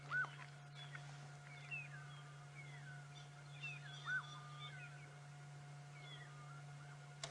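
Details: Coqui francolin on an October 2016 morning safari drive, loud yet hidden nearby, giving two loud, arched whistled notes about four seconds apart, answered by a fainter, possibly paired bird in the distance; other small birds chirp over a steady low engine hum.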